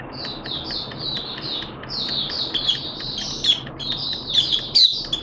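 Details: Malaysian white-eye kept as a hobby songbird, recorded on Sunday 21 June 2023 in full 'buka' song: a fast run of thin, high chirps and twittering slurs, densely packed and slightly varied, with low background hum.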